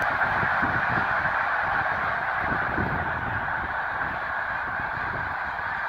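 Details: Snow Geese by the thousands at Green Lane Park, Pennsylvania, USA, February 23, 2019: a steady, crowded chorus of yelping honks with no pause, fading a little over the final seconds.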